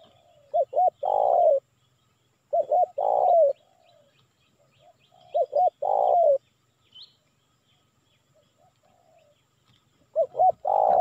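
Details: Lure call of the spotted dove, used in Indonesia to attract wild birds. Four repeated phrases, two clipped notes then a long, full coo, spaced roughly every three to four seconds, with faint coos between them. The last phrase is cut off.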